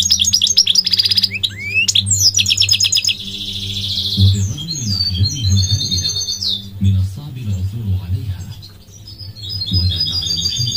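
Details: Goldfinch song opening with a fast buzzy trill and bright twittering phrases, then thinning to scattered high notes while low murmuring sounds and a hum take over.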